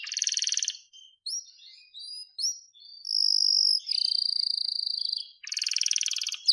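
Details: Canary singing, a varied song of buzzy trills, short whistled notes and a long bright sustained tone, ending in a fast rattling trill.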